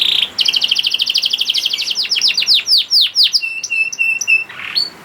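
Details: Young canary (kenari paud) song to encourage reluctant canaries: a rapid two-pitch trill sliding into falling sweeps, a run of flat piping notes, then a short rising whistle.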